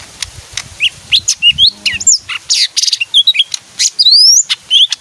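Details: Leafbird, described as singing when it hears music, pouring out a lively jumble of chips, buzzy notes and long rising and falling whistles, with scattered clicks.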